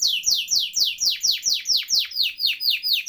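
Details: Gacor canary singing ngeroll, meant as tutor song for canaries that have stopped singing: a series of loud, sweeping down-slurred whistles, each descending sharply, repeated about twice per second with an even rhythm.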